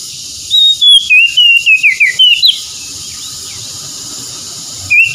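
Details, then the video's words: Kacer, or Oriental magpie-robin, singing for a recovery session aimed at stressed, silent birds: a rapid run of about ten sweet whistled notes with downward slurs, then near silence before one more phrase starts. "PEMULIHAN KACER SETRES MALAS BUNYI LANGSUNG GACOR"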